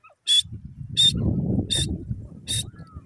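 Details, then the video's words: Francolin (teetar) repeats harsh, scratchy notes four times in three seconds over a steady low rumble of background noise. "teeter bird playing, teeter ki awaz, teetar bird ki awaaz"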